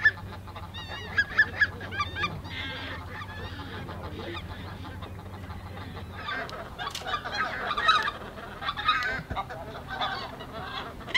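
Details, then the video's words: Flock of greater white-fronted geese at the Ahsewiesen nature reserve, 17 February 2019, 14:50: scattered high squeaky honks early, then a louder burst of overlapping yelping calls from many birds, with low background hum. "Greater White-fronted Geese (Anser albifrons) / Blässgänse"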